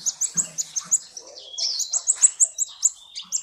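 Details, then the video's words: Sunbird song used as a training recording for cage birds: a rapid series of very high, thin chirps repeated about six times per second, with one brief, slightly lower buzzy phrase midway. "SUARA BURUNG - Masteran Terbaik Kolibri"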